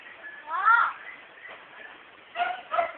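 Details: Female pet myna mimicking household speech: one drawn-out, rising, voice-like syllable, then a pause and two short clipped syllables near the end, over a faint steady hiss.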